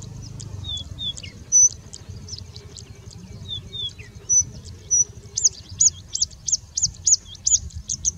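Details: Singing Bushlark from India mimicking other birds, including Indian Robin, Pied Bushchat, Plain Prinia and Common Woodshrike. Scattered high chips and short slurred whistles, then a quick regular run of looping high notes near the end, with faint low background noise.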